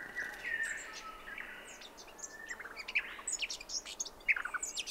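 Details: Brown thornbill song at 7am on 29 December 2011, Brandy Creek Mine Track, Mt Hotham, Victoria, Australia: quick, high, thin twittering notes and sharp chips in an irregular rush, over a faint steady whistle and quiet background.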